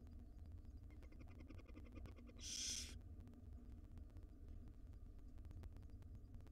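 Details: One loud, rough hissing screech from wild barn owl young in a nest box, five owlets awaiting breakfast from their mother; a faint clicking series precedes it, with low hum throughout.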